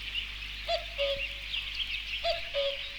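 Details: Common cuckoo song: two low, hollow, falling two-note cu-coo phrases about one and a half seconds apart, heard over a dense chorus of high twittering songbirds.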